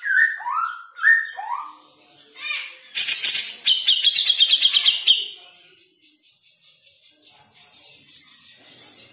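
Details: Songbird in a song-training recording: three swooping whistled notes, then a loud burst of fast rattling trills, fading to faint background sound.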